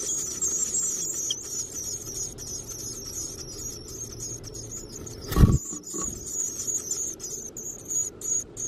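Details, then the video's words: Black-capped Chickadee nestlings in a backyard nest box give a steady, very high, buzzy hissing chorus of begging calls as parents feed them; a loud thump breaks in midway over a low rumble. "Baby Birds in Nest HUNGRY - Black-capped Chickadees Feeding Their Babies"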